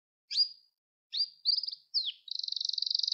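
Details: Gloster canary singing in a recording meant to stimulate young canaries and train them to sing: short separated high chirps and slurred whistles, then a fast, even rattling trill to the end.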